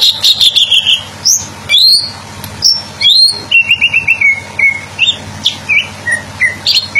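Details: Greater green leafbird (Chloropsis sonnerati) singing a long varied song: a fast descending series of whistled notes, sharp upslurs, and repeated short falling whistles, with scratchy clicks between phrases and a low background hum.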